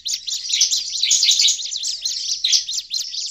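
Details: Noisy, agitated calling of a Bar-winged prinia: a steady torrent of high, sharp chirps and twittering notes, tightly packed and scratchy, with a faint low hum in the background.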